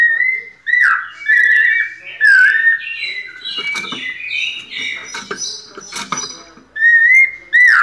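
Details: White-necked thrush kept by a Brazilian breeder singing pianado: clear whistled phrases that bend up and down, separated by short pauses, with scattered clicks and brief chattering notes between them.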